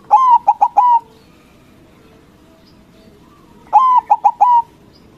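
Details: White local zebra dove in full loud song to make rivals answer, two identical phrases spaced roughly three and a half seconds apart, each a drawn coo, a pair of short clipped notes and a long falling coo.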